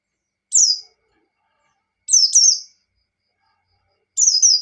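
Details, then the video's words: White-eye singing in 'ngalas' style to provoke a rival: a single descending high whistle, then a doubled phrase, then another pair, phrases roughly every two seconds. "Suara Burung Pleci Gacor | Pleci Ngalas Standar Memancing Lawan"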